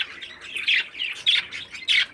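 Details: A healthy 13-day-old captive parakeet chick makes loud, grating squawks in separate bursts about every half second, with softer raspy notes between them.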